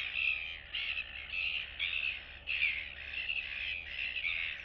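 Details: Two young royal albatross chicks, one still downy on neck and chest, greeting each other among colony neighbours on 9 September 2022; rough, nasal, chattering calls repeated about every second, with a faint constant low hum.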